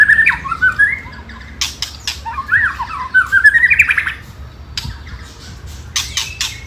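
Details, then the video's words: White-rumped shama song played to provoke rival birds, ketrekan style: rising chains of quick chirped notes mixed with harsh clicking bursts, loud and lively, over low background noise. "Pancingan Murai Paling Ampuh !! ketrekan kramat"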